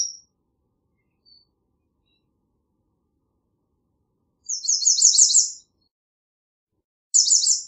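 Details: Repeated slurred notes in a tight, very high series make up a full American redstart song, followed roughly a second and a half later by a shorter, clipped phrase; otherwise quiet.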